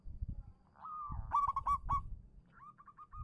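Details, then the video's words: Local zebra dove singing as a lure to prompt silent doves to answer: a run of short, clear, slightly rising cooing notes, a few louder ringing notes in the middle, then another quick repeated series, over low rumbling background noise. "suara burung perkutut lokal manggung pancingan cepat nyaut untuk perkutut macet bunyi"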